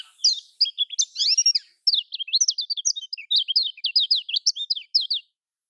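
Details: Lemon-bellied white-eye (kecial kuning) in the Lombok style, played to prompt silent or reluctant caged birds to sing: rapid high chattering song of short sweeping whistled notes, tightly packed in fast bursts, with a brief pause near two seconds.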